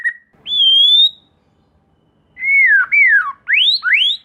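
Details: Lure song of a white-rumped shama, played so young spotted shamas respond and sing: long pure whistles, first a steady rising tone, then a pause and several downslurred and upswept clear whistles in quick succession.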